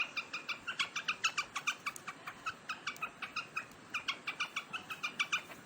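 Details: While eating grain in summer, a big quail keeps up a fast, loud series of clipped chirping notes, about three per second, steady and unbroken throughout; recorded 3 July 2021.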